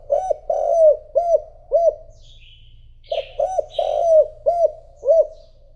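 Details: Decoy spotted dove cooing to draw wild rivals: two runs of deep, arched, hooting coos, four or five notes each, the middle note longer and drawn out, separated by a short pause, with soft chirping of small birds behind.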